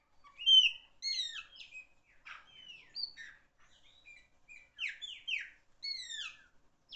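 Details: A singing chopi blackbird, described as a loud singer, strings together bright downslurred whistles and short buzzy notes, with brief gaps between separate phrases.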